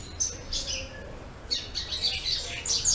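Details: Double-collared seedeater, a bred promoter bird recorded 10 April 2014, giving quick, high, twittering phrases in three short bursts over a few seconds, with a faint low hum underneath.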